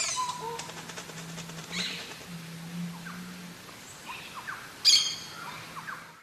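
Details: A Crested oropendola gives one loud, harsh, clucking note near the end, among faint chirps and slurred whistles from other birds over a steady low hum.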